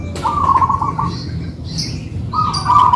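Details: Two local-type zebra doves singing in a duet; trilled, purring coo phrases at a steady mid pitch, one long phrase followed by a pause and another starting near the end, over low background rumble.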